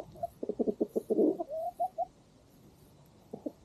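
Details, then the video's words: Hens on a farm at sunset while the farm dog feeds: a quick series of about eight evenly spaced clucks, then three short tonal notes, a quiet gap, and two more clucks at the end. "Chickens and Rooster Singing"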